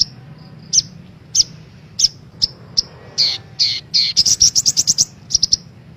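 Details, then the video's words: Female sunbird calls used as a lure to stimulate caged birds: thin, high chirps repeated about every half second, building into a quick series of bright chirping notes near the end. "PANCINGAN SOGOK ONTONG , SOGON AGAR CEPAT BUNYI"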